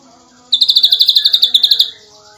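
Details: Champion ashy drongo in tight 'nembak rapat' delivery: one fast, even series of about sixteen high piercing notes over a faint lower hum.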